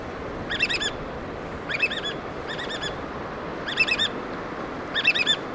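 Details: Black oystercatchers tending and feeding chicks in Washington's Pacific Northwest; rapid stuttering bursts of high piping notes, each burst under half a second, repeated roughly every second and a bit, against constant wave noise.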